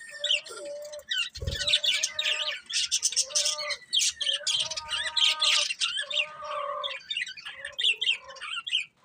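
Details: Chirping budgerigars, a breeding pair, in a continuous lively stream of scratchy warbles, squeaky chirps and harmonic notes, with one low thump early on.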